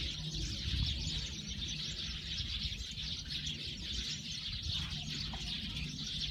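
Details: Busy chorus of Eurasian tree sparrows, many overlapping sharp chirps running continuously, set against a low humming background.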